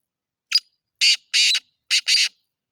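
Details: Black francolin call: a short harsh note followed by four loud, rasping, buzzy syllables in two pairs, each grating and broadband, with brief silences between.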